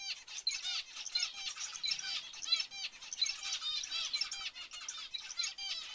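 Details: Loud, clear zebra finch calls: strings of nasal, toy-trumpet-like beeps from several birds, repeated rapidly and overlapping, with faint wing flutters.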